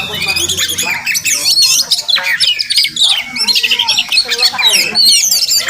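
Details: Wild Oriental magpie-robin (Murai Kampung) at a village home, recorded with limited equipment: a busy, squawky mix of whistles and harsh chatter, continuous and rapidly varied.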